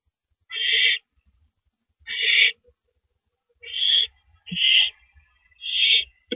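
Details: An owl pair's nest at 1:11 AM, April 6, 2012, while the male delivers a rabbit. There are five coarse, hissing screeches, the later ones closer together, and a brief low thump near the end.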